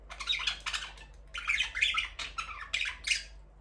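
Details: Budgerigars in an aviary where breeding has begun and the first chick has hatched, giving harsh, scratchy chirping bursts in quick clusters with short pauses between, faint low hum behind.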